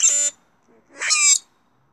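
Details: Male common grackles showing off to one another: two harsh, squeaky, metallic bursts about a second apart, with a faint low note between them.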